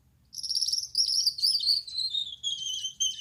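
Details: Male Gouldian finch with a yellow back, red head and white chest singing at night: a thin, very high, hissing and buzzy phrase lasting about three seconds, sliding gradually lower toward the end.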